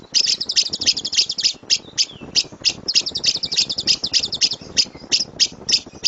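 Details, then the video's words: Lovebird 'gemuruh tembakan' song serving as a training master for other birds: rapid strings of high, piercing chirps and squeaky chatter delivered in short clustered bursts with brief gaps, steady and continuous over several seconds. "LOVEBIRD SUARA GEMURUH TEMBAKAN BURUNG LOVEBIRD"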